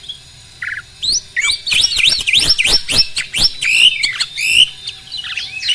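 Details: Caged adult male Asian pied starling, ready for mating, sings a rapid stream of looping whistled phrases and sharp scratchy clicks, with squeaky slurred notes repeated almost without pause.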